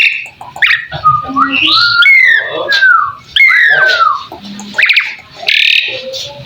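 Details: Asian pied starling (jalak suren) song for masteran training, with a jumble of descending whistled slurs, buzzy notes and short low tones in an irregular, varied pattern.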